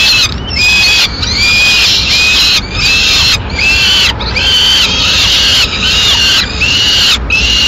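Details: Peregrine falcons at a nest in Madrid, Spain, on 4 May 2016, as the male brings a swift and feeds it in pieces to the chicks; harsh, arched, downslurred squealing notes repeat about once a second over a steady high hiss.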